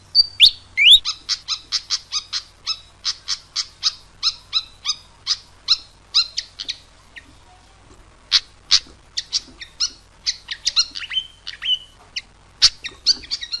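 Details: Fantail song used to encourage caged birds to sing: a long steady series of short, sharp, high chips, about two each second, later broken by brief whistled slurs and quicker clusters of notes.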